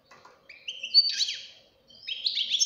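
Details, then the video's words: Young European goldfinch fledgling; a few drawn-out whistled notes followed by a twittering burst, a short gap, then another rising flurry of high chirps. "غناء فرخ طائر الحسون"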